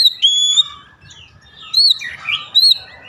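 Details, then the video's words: Oriental magpie-robin song played to trigger singing: a long steady whistle, then softer gap and a few rising and falling whistled notes over a low hum. "pancingan harian Kacer langsung gacor"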